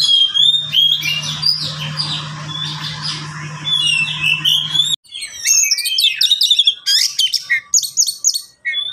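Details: Caged Oriental magpie-robins, three birds answering one another, kept as a training recording for lazy singers: dense, varied whistled phrases with sharp rising and falling notes, over a steady low hum during the first five seconds, then clearer chattering bursts.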